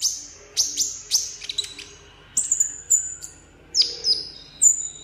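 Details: Vietnamese caged sunbird singing solo for a song contest: high drawn-out whistles dropping in pitch, interspersed with sharp chips and brief pauses, with faint low murmuring underneath.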